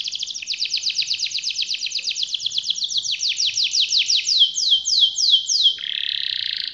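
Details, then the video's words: Canary in 'gacor' song: a sequence of fast, slurred whistles sweeping downward. They slow gradually into distinct swoops about three per second and end in a lower, rapid, buzzing trill. "suara kenari gacor ngerol panjang"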